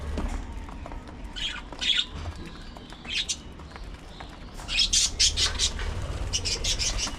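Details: Budgerigars chattering at early morning feeding time: scattered squeaky calls first, then a dense burst of quick, shrill chirps, with a quieter cluster after.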